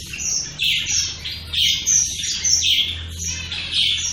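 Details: Several shaft-tailed finches give a busy run of high, thin chirps and nasal notes, calling over one another in quick succession.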